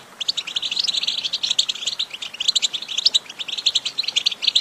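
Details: Goldfinch song meant to encourage a pet goldfinch to sing: a rapid, chattering stream of sharp high notes and liquid twitters, dense and continuous.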